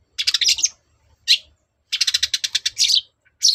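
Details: Long-tailed shrike in energetic lure song meant to provoke other shrikes into replying: rapid bursts of high, scratchy chattering notes, a short separate note, then a long dense rattling phrase ending in a higher squeak.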